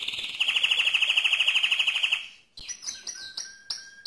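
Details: Loud song from a mosaic canary: a fast, very even high trill of bright repeated notes for two seconds, a brief pause, then sharp rising chip notes with whistled tails.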